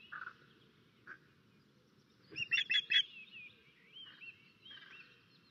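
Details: Osprey on its Estonia nest during a crow attack, 13 May 2024: quieter hoarse notes, then a loud run of four high, sharp whistled chirps, followed by softer slurred calls.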